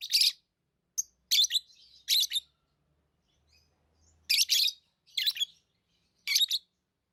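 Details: Lovebirds kept as pets uttering loud, harsh chirps singly or in quick doubles, spaced by pauses of up to two seconds, with a faint soft low hum at times.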